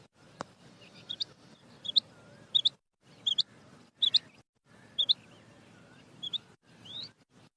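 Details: Female quail giving a steady run of short, high, squeaky chirps, often paired, roughly every half second to second, over a soft low background hum.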